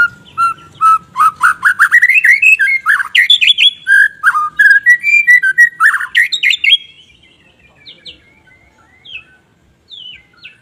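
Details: White-rumped shama pouring out a fast, varied song of rapid chattering notes and rising whistles for about seven seconds, then falling nearly silent apart from a few soft distant whistles.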